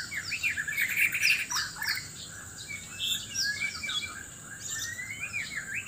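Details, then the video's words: White-rumped shama from Sabah, Borneo, singing loudly while seeking a mate: rapid varied warbled and whistled phrases, sliding notes and chatters overlapping, possibly several birds, with a steady high insect-like hiss throughout. "Murai batu Sabah: aksi mencari pasangan lawan suara keras"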